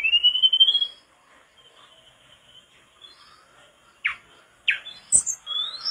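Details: Mangrove blue flycatcher (tledekan bakau) singing actively for a cagebird tutoring recording: a long, clear rising whistle, a quiet pause, then sharp chips and a few thin, high whistled notes.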